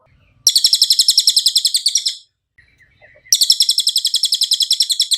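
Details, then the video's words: Cililin song used as masteran training audio for songbirds: two high, fast chattering trills of rhythmic repeated notes, the first about two seconds long, then a pause and a second burst. "MASTERAN CILILIN SUARA JERNIH"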